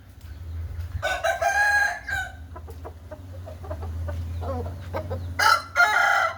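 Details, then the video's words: Aseel birds: one rooster gives a rough crow, followed by scattered clucks and clicks over a steady low rumble, then a second loud, harsh crow near the end. "Showing Aseel Birds with Orignal Sound"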